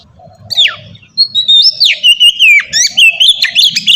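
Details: Oriental magpie-robin in ngeplong style, used to coax young birds to sing. A steep falling whistle, a short pause, then sustained bright whistles that slide and waver, broken by quick chirps.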